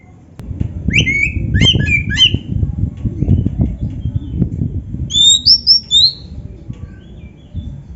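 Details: Oriental magpie-robin singing in the gacor full isian style: a few short, clear whistled phrases that slide and warble, grouped near the start and again after a pause, over a low rumbling background.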